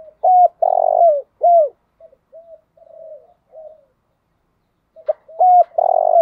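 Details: Decoy spotted dove giving its morning call: crisp hooted coos and a long buzzing burr descending in pitch, a run of gentle low notes, then the loud sequence repeats.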